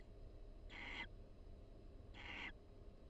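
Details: Two soft raspy hisses from a barn owl pair bonding in a University of Florida nest box, about a second and a half apart, with low humming background noise.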